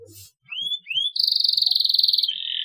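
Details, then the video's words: Canary chirp meant to stimulate young canaries to chirp: two upward-sweeping whistled notes, then a steady rapid rattling trill and a brief lower sustained tone at the end. "CUITAN KENARI TERBUKTI AMPUH BIKIN KENARI PAUD RAJIN NGERIWIK | PANCINGAN KENARI PAUD"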